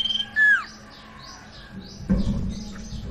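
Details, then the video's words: Caged sirtu song played as a lure to get a silent bird singing: a high piercing note, then a sliding whistled slur dropping in pitch, followed by soft chirps over a low hum and a thump. "PANCINGAN Burung SIRTU Macet BUNYI"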